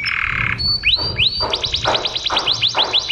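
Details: Singing canary, recording for training other birds: a flat buzzy note, then a series of rising whistled sweeps repeated at a quickening pace, each ending in a high hook.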